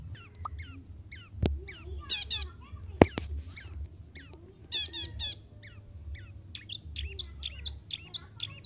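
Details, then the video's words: Lampung-origin bakalan long-tailed shrike singing hard: spaced bursts of sharp upswept chirps, rattling harsh phrases and a loud click near three seconds, with quieter gaps and faint low background hum. "BURUNG CENDET BAKALAN ASLI LAMPUNG"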